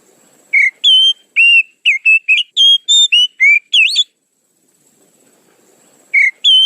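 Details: Lure sound of the Oriental magpie-robin: loud, pure whistled notes, some sliding and warbled, delivered in a lively run for about three seconds, then a quiet gap before the whistling resumes.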